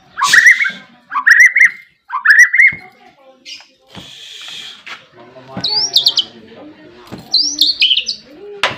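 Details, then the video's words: White-rumped shama, locally murai batu, a kept songbird in full song; three loud rising whistled phrases, then a noisy burst, then high fluttering whistled trills, with faint low murmurs in the background. "SUARA MURAI BATU BARBARA GACOR BOLO."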